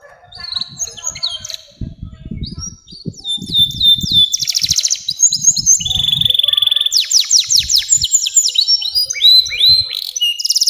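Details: Canary with a long 'nembak' song for lure training of young canaries: varied twittered phrases and sweeping trills that grow louder and denser, while low rumbling knocks sound in the background.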